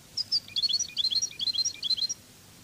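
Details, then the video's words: Cádiz-style phrase from a Spanish European goldfinch on a training CD: a brisk, sparkling sequence of bouncing high chirps lasting about two seconds, with a quiet, clean background. "CANTO DE JILGUERO CADIZ شريط لغة الحسون الإسباني قادس"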